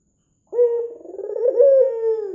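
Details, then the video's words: Red-eyed white Barbary dove cooing busily, a lure call for drawing other doves to call: after a half-second of silence, one long rolling coo with a throaty, wavering middle and a smooth falling end. "PANCINGAN PUTER PUTIH MATA MERAH GACOR"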